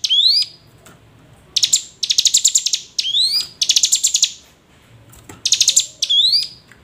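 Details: Hill prinia calls used to lure reluctant hill prinias into calling: sharp upslurred whistles alternating with dense, buzzy trilled bursts lasting about half a second, repeated in quick sequence.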